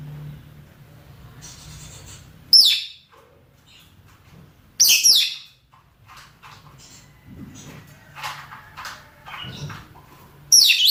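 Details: Mating calls of male and female rosy-faced or Fischer's lovebirds: sharp high shrieks repeated every couple of seconds, with low murmuring chatter and soft twitters filling the gaps.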